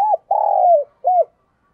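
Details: Spotted dove kept as a lure bird for wild doves, giving a mellow coo: a short hoot, a long slightly falling middle note, and a short arched final note, all low and hollow.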